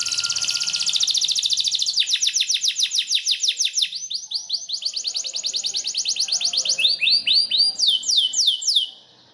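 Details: Green canary training song: continuous high trills with rapid repeated downswept notes that switch tempo several times, ending abruptly.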